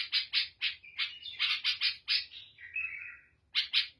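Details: Song of the Syrian or Lebanese bulbul with a black head: rapid rasping chirps in a row, a drawn-out warbled note that slides lower, then two more chirps after a pause.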